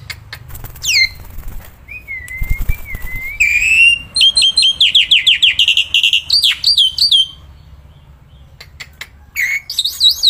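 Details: Caged black-winged myna singing outdoors and in hand, loud and tireless: a drawn-out wavering whistle, then rapid ringing trills and looping whistled notes, with a quiet pause before more whistles.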